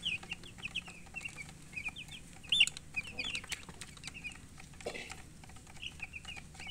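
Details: Newly hatched chickens chirping: high short peeping chirps repeated in uneven runs, several birds overlapping, with clicks and background rustling.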